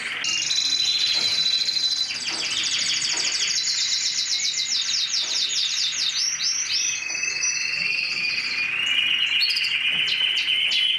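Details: Mosaic canary delivering loud, continuous song. Dense, rapid trills change speed and pitch, with rising and falling sweeps. Later comes a lower, steady trilled phrase with a clear whistle on top, followed by a few sharp high notes.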